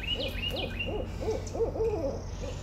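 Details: Barred owl calling: a steady series of about eight short, arched hooting notes with a mid-low pitch, evenly spaced across the clip, with higher thin swooping calls above and a low constant hum.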